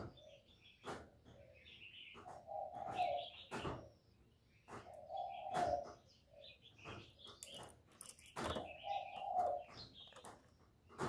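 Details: Spotted dove cooing, a recording meant to lure the birds into traps. Drawn-out low coos come in rounds roughly every three seconds, with loud clicks, knocks and thin, higher twittering from other birds around them.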